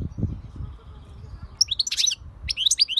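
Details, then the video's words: European goldfinch giving short bursts of high, sharp twittering notes and a brief harsh buzzy element, after low thumping background sounds. "SAKA KUŞU ÖTÜŞÜ"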